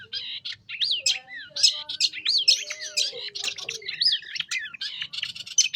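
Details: Lively long-tailed shrike song meant to attract young wild shrikes, full of swooping rising-and-falling whistles and chattering notes, strung together without break.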